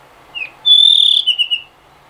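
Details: Blue rock thrush singing in late afternoon: a short whistled note, then a long steady high whistle followed by a quick warbled trill of descending notes.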